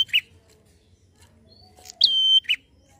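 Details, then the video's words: A prinia calls in a fast, lilting way: a few sharp, high chirps and one thin, steady whistled note lasting about half a second, with quiet gaps between the phrases. "Prenjak Gacor ngalun cepat pancing emosi prenjak bahan"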